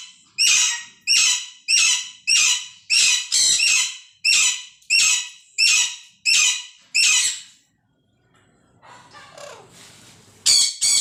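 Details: Green pet parrot indoors in a small room giving a run of loud, harsh, broadband squawks repeated about every 0.6 seconds, then a pause with faint rustling and a final short squawk.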